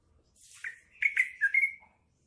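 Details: Short phrase from a sooty-headed bulbul (trucuk) imitating cucak ijo, the green leafbird: a soft lead-in, then four clear whistled notes, the last drawn out into a level, slightly fading tone.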